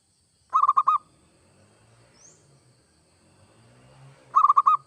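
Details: Singing zebra dove (perkutut), local or Bangkok variety, its song played to make other doves start singing: a quick five-note coo burst, a quiet gap with low background rumble, then another rapid rolling burst.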